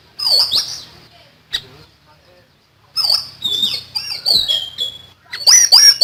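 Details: Lively common iora singing in repeated bursts of high, bright whistles and downslurred notes, a short pause after the opening phrase before a denser, louder run.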